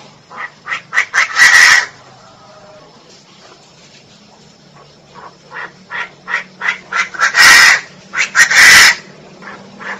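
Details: Female Chinese francolin giving two series of clipped, nasal notes that speed up and end in loud, harsh, rasping bursts, with a quiet pause between the series and a faint low hum.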